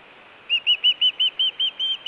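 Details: Osprey at a nest in Hellgate, Montana, on a nest camera, June 2017, during food calling and alert calling around a fish delivery: a run of nine clear, short whistled chirps, evenly spaced about every fifth of a second, slightly arched in pitch, with steady background hiss.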